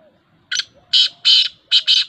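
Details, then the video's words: A clean, loud five-note grating call of a black francolin, recorded 19 August 2021: a short introductory note, two longer rasping notes, then a fast final pair, over a quiet background. "Speeder Kala Teetar black Francolin"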